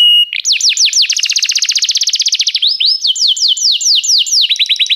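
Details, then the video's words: Canary singing as a tutor for training a young bird: a steady whistled tone, then a fast rolling trill of many repeated notes, followed by slower looping downward sweeps, clear and loud. "canário cantando - professor para o treinamento do seu filho canário"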